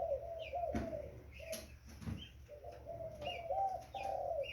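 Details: A young spotted dove coos in low, sustained notes interrupted by a couple of thumps and a few rising high chirps, over a steady humming background.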